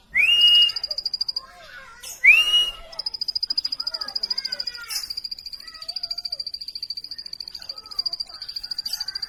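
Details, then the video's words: Plain prinia song of fast, repeated thin high notes, preceded by two loud rising whistled slurs; assorted lower chirps and warbles scatter through the background. "plain prinia bird chirping"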